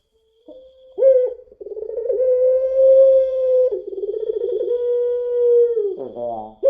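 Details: A spotted dove of the puter pelung type, recorded as a lure, sings one extended cooing note after a brief start. The note holds level with a trembling middle section and ends in a rasping break.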